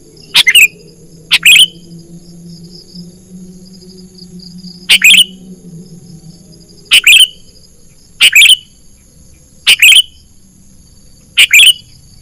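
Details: Sooty-headed bulbul lure call for catching birds in the wild: seven crisp high chirp bursts at uneven intervals, each a quick double or triple note, over a low background drone.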